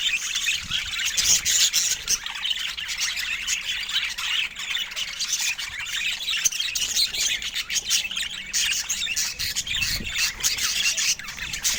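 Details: Budgerigars chattering continuously, a dense, high-pitched mix of warbles, chirps and scratchy squawks from several birds overlapping without pause throughout.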